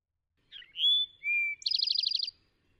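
An Eastern Towhee sings its 'drink-your-tea' song: three clear whistled notes, the last one lower, then a fast buzzy trill. No other sounds are heard.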